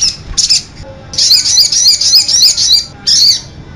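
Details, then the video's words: Sogok ontong sunbird, from a lure recording used to train and attract singing birds, konin-style fill. Very high, twittering chattery phrases with quick rising and falling squeaky notes, broken by short pauses. "suara pikat dan masteran burung sogok ontong persi suara konin full isian"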